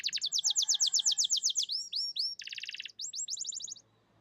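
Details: Canary song: loud, rapid trills of repeated high notes, then upward-swept whistles, a buzzy rolled section and a quick final trill, clean with no other sounds.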